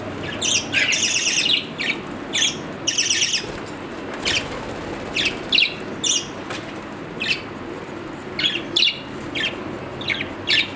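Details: Captive budgerigar chattering with clustered high chirps and warbles in irregular bursts, some runs of rapid notes, over a steady low background hum.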